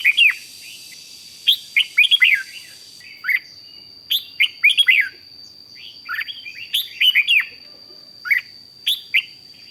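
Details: {'caption': 'Rik-style song of a red-whiskered bulbul from Thailand, played to excite other bulbuls: bright, chattering whistled phrases of rapid up-and-down slurs, delivered in clusters through most of the recording, with a constant thin high-pitched hum behind.'}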